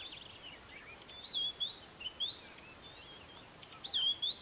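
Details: At the Kap River Nature Reserve near Port Alfred in April 2019, a white-browed scrub robin gives high, wavering whistled phrases, three looping figures spread over a few seconds with softer notes between, over light background hiss.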